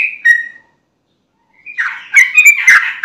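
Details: Sooty-headed bulbul lure song: two clear whistled notes, a silent gap, then a fast burst of rich chattering, bubbling phrases.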